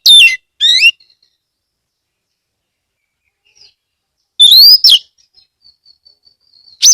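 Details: Oriental magpie-robin (kacer) lure song from Kebumen, Central Java, for prompting other magpie-robins to sing; scattered sharp falling notes and a rising whistle between long quiet gaps with faint thin tones.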